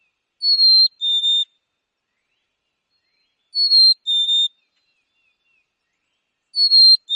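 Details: Black-capped Chickadee in Wisconsin giving its clear two-note whistled song, a higher note then a slightly lower one, repeated three times about every three seconds against a quiet background.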